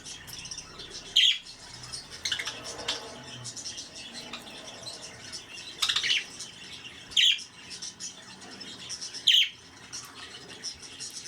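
Budgerigars give sharp, high chirps every second or two over a soft, steady background chatter.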